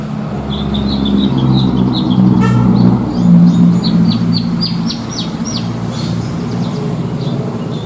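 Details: Javan bush lark kept as a contest bird, prized for its rich song material, giving a run of rapid high chirps, then a burst of sharp notes, over loud low rumbling background noise.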